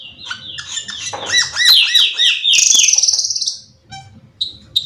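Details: Cucak keling, the Black-winged Myna, giving lively lure song to draw other birds of its kind into song: a rapid rolling series of looping whistled notes, then a long buzzy trill, ending in softer scattered chirps over a low hum.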